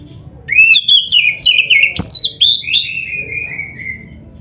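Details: Kacer (Oriental magpie-robin) tutor song for training caged birds: a run of clear whistled notes, a sharp upward-sweeping whistle, then a long falling, drawn-out whistle fading away.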